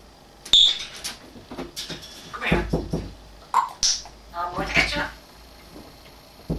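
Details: African grey parrot kept indoors copying household sounds and speech: sharp clicks, knock-like thumps and short harmonic voice-like syllables, some repeated in quick bursts.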